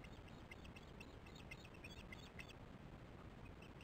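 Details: Osprey alarm calling at its nest on a conservancy nest camera, 22 July 2015 at 19:08, during a troubled chick feeding before the adult flies out: about nine sharp chirps in quick succession, then falling quiet, over steady low rumbling background noise.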